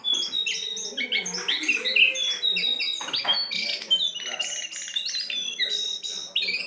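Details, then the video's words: Jongkangan singing, recorded as a bird-attracting lure: an energetic, nonstop stream of sharp chirps, short whistles and twittering notes packed closely together. "pancingan burung jongkangan"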